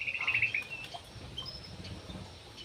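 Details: Javan pied starling singing: a buzzy, rapidly pulsed trill at the start, followed by faint scattered whistled notes against a low background hum.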